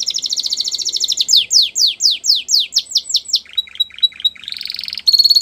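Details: Young canaries are meant to learn from this canary song: a fast buzzy roll, then repeated falling whistled notes that speed up, clipped pips and a final high pulsed trill.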